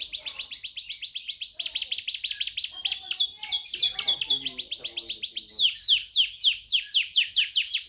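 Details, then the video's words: Champion canary song from Indonesia for masteran training: rapid trills of sharp, high, downward-sweeping notes repeated about four per second, changing speed and pitch in several sections, with faint low water-like gurgles in the middle. "Suara Burung Kenari"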